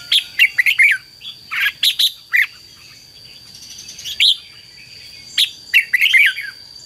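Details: Red-whiskered bulbul song played as a decoy to call wild birds and excite trained birds: quick groups of clear whistled chirps with long pauses between, accompanied by a steady thin high tone.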